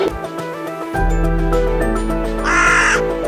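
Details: A hooded crow, a resident winter bird of towns and countryside, gives one harsh, hoarse caw lasting about half a second over steady background music.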